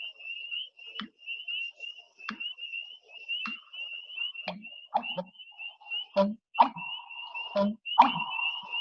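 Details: American Bittern breeding male's song: deep, hollow, gulping notes like dripping water droplets, repeated about every second or so, over a steady high-pitched trilling in the background.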